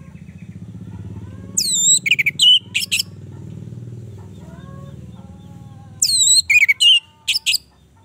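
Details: Orange-headed thrush singing two bursts several seconds apart, each made of high falling whistles followed by short sharp chips, over a steady low hum. The recording is played to coax a bird that has stopped singing.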